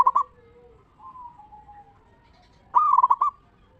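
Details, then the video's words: Local zebra dove singing, used to lure other zebra doves into answering: a short rolling burst, soft drawn-out coos, then a loud stuttering run of five or six quick cooing notes near the end. "Perkutut Lokal Gacor RAJA PIKAT Suara Ngeristal Paling Ampuh Bikin Semua Perkutut Nyaut Gacor"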